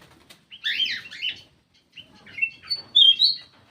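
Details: Black-crested bulbul lure call: a dense, chattering burst of notes, a short gap, then clear rising whistles ending in a loud slurred note; faint rustling in the background.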